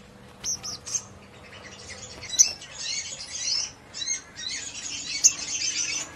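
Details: Crimson Sunbird singing in lively ngleper style, used to stir other sunbirds to respond: high, thin chattering trills and sharp ticks in short bursts, fairly faint, with brief gaps between phrases.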